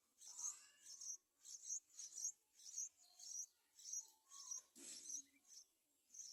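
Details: A baby yellow-vented bulbul waiting for its mother to feed it: thin, very high chirps repeated roughly twice a second in a steady series, with a few faint lower notes between them and a quiet background.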